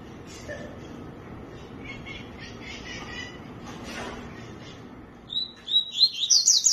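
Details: Song of a tui-tui bursting in after a quiet stretch of faint chirps and background noise: a run of clear whistled notes that rise and quicken into a rapid, high trill at the end.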